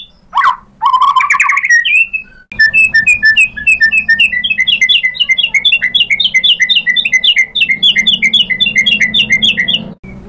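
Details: Lure song of a white-rumped shama to make another shama answer and sing: opening sweeping whistles, then a long, fast series of sharp, evenly repeated chipping notes running about eight seconds.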